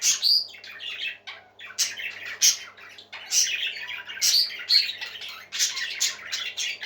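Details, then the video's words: Parakeets warble and squawk in a small room, rapid chirping runs punctuated by piercing high whistles and occasional brief pauses. "Happy Parakeets Singing For Lonely Birds"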